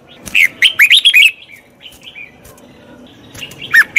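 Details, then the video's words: Red-whiskered bulbul singing to train a wild-caught bird: a rapid run of six bright, looping whistles, a pause with faint distant notes, then two clear rising and falling whistles. "Tiếng chào mào luyện giọng chim bổi. นกปรอดหัวโขน"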